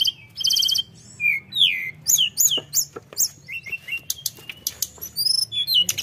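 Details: Chattering full song of a tledekan, aimed at provoking opposing birds: varied high whistles and downslurred notes in quick succession, with short pauses and a low background hum.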